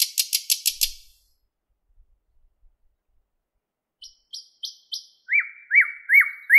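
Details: In a Moscow park in May 2016, a thrush nightingale delivers a quick burst of six dry clicks, a pause, four high whistles, then a set of repeated looping slurred notes.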